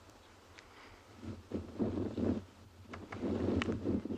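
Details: Quiet outdoor ambience of wind buffeting the microphone and rustling, with irregular low bursts and a few soft clicks, and no clear animal call.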